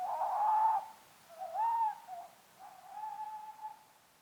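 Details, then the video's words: Fainter, more distant-sounding hoots of a Tawny owl (Strix aluco): three mellow hoots, the last one long and steady, over a soft hissing background. "The haunting sounds of Tawny owls"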